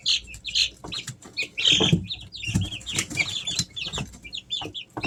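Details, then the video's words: Easter Egger chicks, three weeks old, indoors at home: a dense stream of high chirps from several chicks, with scratching and thumping underneath. "Sounds of baby chicks"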